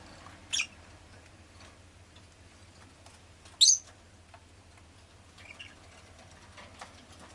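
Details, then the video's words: Two brief, shrill chirps from a pet rosy-faced lovebird, about three seconds apart, amid faint clicks, ticking and low steady background noise. "Lovebird Chirping Sounds"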